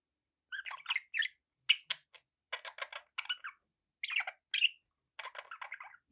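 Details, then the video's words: Pet budgerigars in a busy run of short, scratchy chirps and clicks, coming in small clusters with brief gaps. "1 hour of budgie sounds"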